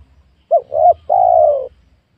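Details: Single spotted dove phrase from a young oil palm plot where wild doves are being lured: a brief coo, a second rising coo, then a longer drawn-out coo that slowly falls, over a soft low background hum.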